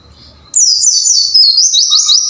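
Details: After half a second of quiet, a caged-bird training song of the white-eye bursts in as a continuous, very high warbling chatter of rapid falling "wucit wucit" notes.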